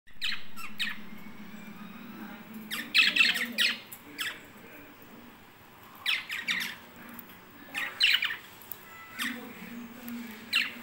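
Lovebirds give harsh, shrill squawks and chattering chirps in uneven bursts every second or two, over a low indoor hum and faint voices.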